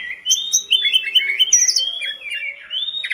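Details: Short burst of sooty-headed bulbul song, used to prompt kept birds: continuous rolling warble of bright whistled notes and chirps, rising and falling without pause.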